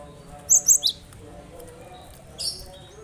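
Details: High piercing chirps from a cinereous tit, played to get silent birds singing: a rapid trio of sharp notes, then a softer single note after a pause, over a low murmur.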